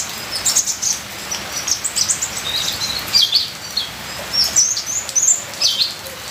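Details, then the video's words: Varied song of a ninja sunbird, meant as training material: clusters of high, thin chirps and slurred notes every second or so, with short pauses between bursts and steady rain hiss behind. "Terapi Suara Kolibri ninja full isian"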